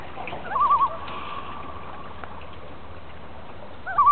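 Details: Loon on Casey Lake near Francois Lake, British Columbia, recorded while fishing. Two brief wavering tremolo bursts at mid pitch open and close the stretch over a steady low hum.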